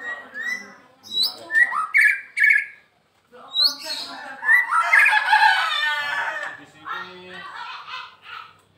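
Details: Captive white-rumped shama from Medan, kept as a daily active singer, delivering a varied run: quick whistled notes, then a loud harsh, scratchy burst and softer chattering phrases, separated by a short pause.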